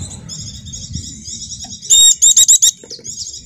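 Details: Javan white-eye (pleci dakun jawa) song used as a lure to set silent caged birds singing: thin high twittering with a sudden burst of four loud rapid chirps mid-phrase, then softer twitter again.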